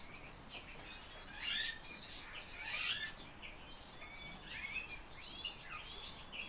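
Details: Black lark song from a bird-keeping setting: bursts of varied, scratchy and twittering notes with short whistled slides, louder around the middle and near the end, over a steady background hiss.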